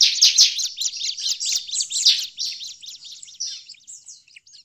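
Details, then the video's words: A bar-winged prinia gives a fast, excited, noisy chatter of high, scratchy chirps, about two or three per second, loud at first then fading; the recording is used as a lure call. "suara ciblek ribut"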